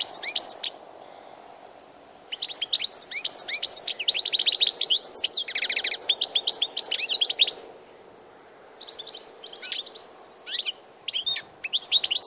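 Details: European goldfinch in full song on 16 March 2014: scattered chirps open into a long, rapid stream of tinkling notes and a dry buzzy trill, then a pause and more sparse sharp calls.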